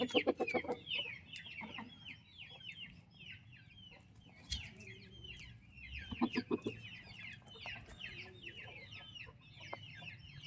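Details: Active baby turkey chicks cared for by their mother: many thin descending cheeps pour out continuously, broken by bursts of deeper clucking at the start and again near six seconds.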